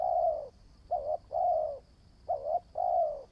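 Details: Newly trained decoy spotted dove coos steadily: one long mellow note, then two pairs of a short wavering note followed by a longer falling coo, low and hollow with faint background hum.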